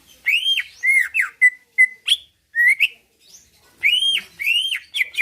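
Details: Greater green leafbird kept as a cage bird in Pasuruan, Indonesia, in full song intended to make other birds answer and fight; loud arched whistles alternate with short clipped notes and brief pauses.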